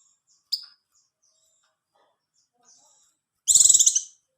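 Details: Oriental white-eye (pleci) song, played to raise mating readiness and make silent birds sing: a single sharp high note, then after a pause one rapid, bright, high twittering burst under a second long.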